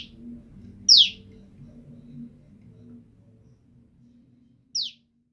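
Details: A female olive-backed tailorbird kept apart from her mate calls him persistently. Two brief, piercing downslurred notes come nearly four seconds apart, with a soft low rumble between them.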